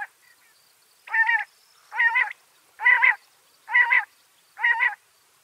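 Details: Backyard bird, Washington State, calling in a regular series of five rasping, nasal notes, each about a third of a second long and spaced about a second apart, against near silence.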